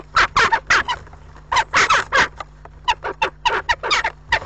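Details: Jackdaws fighting at a nest box on 7 April, several birds battling over a nearly finished nest, give a fast, excited run of harsh, metallic 'chak' calls, about twenty in under five seconds, overlapping in the squabble.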